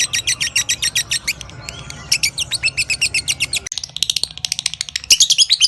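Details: Lovebird ngekek: bursts of rapid, high-pitched buzzy chirps that break off briefly and then resume as a fast, pulsed chattering trill, continuing to the end with a low background hum.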